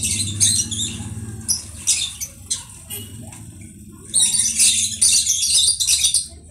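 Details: Conure making scattered harsh chirps, then a sustained run of loud grating squawks in the last two seconds, with low background rumble.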